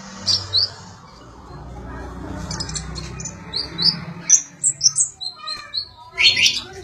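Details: Sunbird singing, recorded as song material for training magpie-robins: scattered sharp high chirps and short twittering notes, louder toward the end, over a low background rumble.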